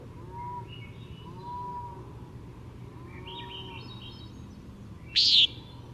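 A single loud, nasal, buzzy jer from a Common Nighthawk near the end, after faint thin whistles from other birds over a steady background hiss.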